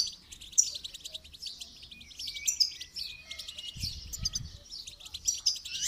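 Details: Goldfinch song in a training session: a steady run of quick, high, metallic chirps and buzzes, with a short low knock near four seconds.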